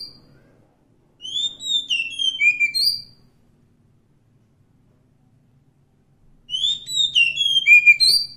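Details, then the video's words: Forest Oriental magpie-robin, known locally as kacer hutan, singing two whistled phrases of descending and rising slurred notes, each lasting under two seconds, separated by several seconds of near silence. "suara asli kacer hutan"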